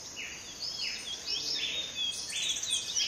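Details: Black nunbird at close range at Las Trincheras, Rio Caura, Venezuela, giving a run of clear whistled notes that swoop up and down, several per second, over a steady high insect hiss.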